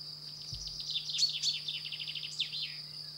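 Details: Common chaffinch singing in France, male and female noted: a rapid run of bright notes stepping downward from high to mid pitch, ending in a short flourish, over a steady high insect-like whine and a low hum.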